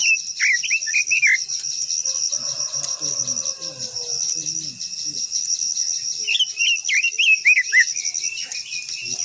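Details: Japanese white-eye sings in two bursts of sweet, rapidly twisting whistles, one at the start and one later. Low murmuring sounds fill the gap, and a constant shrill insect hum runs beneath.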